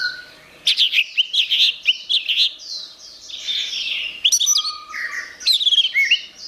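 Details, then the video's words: Loud song of an orange-headed thrush: quick rasping chirps, then a rising-and-falling warble, a low flat whistle and a closing burst of bright, sharp notes in a quiet setting. "Suara Anis Merah"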